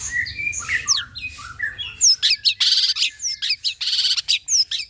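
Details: Long-tailed shrike lure song meant to draw replies from other shrikes: varied descending whistles give way to loud, rapidly repeated harsh buzzy bursts interspersed with thin sliding notes.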